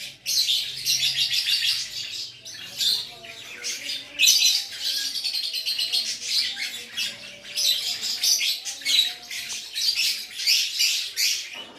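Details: Gacor lovebird singing in Aceh: long runs of high, rasping twitters and squeaky chatter, a short lull near the start, then sustained busy phrases to the end.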